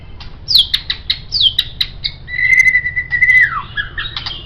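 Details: White-rumped shama singing as a master for training songbirds: loud downslurred whistles repeated several times, followed by a long level whistle that bends downward and ends in a rising flourish.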